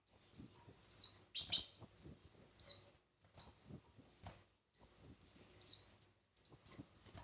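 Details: Red-whiskered bulbul singing competitively: clear whistled phrases that rise then slide down in a slurred, wavering line, repeated about every one and a half seconds with short pauses between them.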